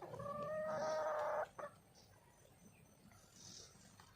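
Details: Female red junglefowl calling for a male: one drawn-out, strongly harmonic nasal note lasting about a second and a half, followed by a short clipped note, then quiet with a faint high hiss in the background.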